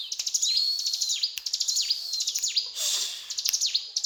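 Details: Mountain tailorbird in energetic 'gacor cetrakan' song, fast ticking note-trains broken by a long, slightly rising high whistle and sharp downslurred notes, phrases tumbling closely together.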